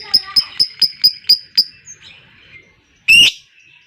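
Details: Lovebird chattering ngekek, used to rouse other lovebirds to sing long: seven evenly spaced, piercing high chirps about four per second, a soft trailing note, then one loud grating squawk.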